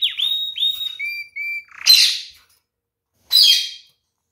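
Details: Canary singing pure whistled notes, some slurred downward, then flat steady tones, broken by two harsh noisy bursts.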